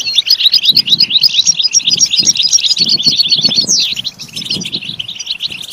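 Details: European goldfinch song: bright, rapid twittering phrases of jumbled chirps with a brief downward slurred note near the middle, a faint low rumble underneath, meant for stimulating goldfinch singing.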